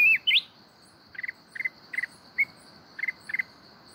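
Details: A mountain red-whiskered bulbul singing in a wild-type voice opens with two bright, rising whistled phrases, then short chirpy double notes about every half second over a steady, high cricket drone.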